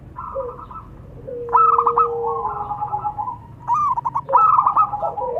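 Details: Male and female local zebra doves answering each other: a trilled coo, then a burst of fast stuttering notes, a long run of softer beaded coos, and another bubbling burst.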